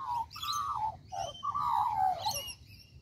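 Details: Australian magpie (Gymnorhina tibicen) in a tree in Kings Park, Perth, Western Australia, giving rich, fluty, slurred notes that swoop downward in a few warbling phrases over about three seconds, with a faint background hum.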